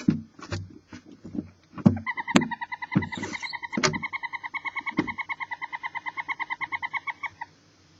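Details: A mother barn owl and her roughly two-week-old chicks in an owl box give a rapid, reedy chittering of about seven notes a second, held for five seconds after a few soft thumps and shuffles.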